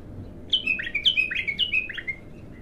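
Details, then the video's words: Bulbul singing its first song as a raw bird: a rapid, continuous string of bright whistled notes alternating high and lower, bubbling and rolling for about two seconds above a faint background hum. "تغريد الابتر خام اول فتحـه له"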